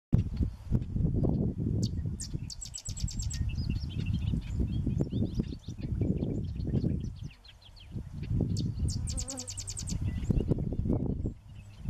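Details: A sedge wren (Cistothorus stellaris) in Polk County, Minnesota, on 25 June 2014, sings two high, dry, rapid staccato chatters, each led by a few loose chips, against heavy low wind rumble and faint scattered chirps.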